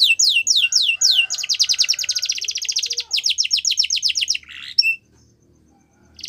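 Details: Yorkshire canary song used to train young canaries, opening with spaced falling whistles, then a long rapid buzzing trill and quick repeated notes, a short harsh call, and near silence toward the end.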